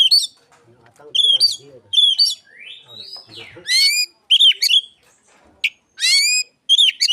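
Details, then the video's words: Oriental magpie-robin singing in imitation of Asian pied starling, meant as a lure: loud, rich, chattering phrases alternating with long swooping whistles, delivered in uneven bursts with short silences. "KICAUAN KACER niru JALAK SUREN"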